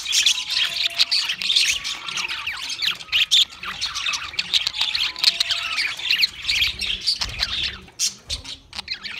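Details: A group of pet budgerigars chatters in scratchy, squawking warbles and quick chirps, with thin whistled tones slipping through; the chorus fades toward the end.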